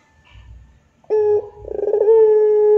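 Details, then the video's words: After faint low murmurs, a Barbary dove bursts into a loud short note, then a quick pulsing roll that smooths into a long, level humming coo, the drawn pelung style. "SUARA PUTER PELUNG GACOR DOR"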